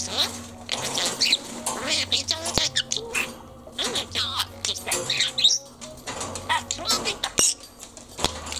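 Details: Pet male lutino budgerigar in Japan, filmed secretly while laughing and talking, gives dense, buzzy, high-pitched chattering and warbling phrases with short gaps, over a steady low background hum and faint music.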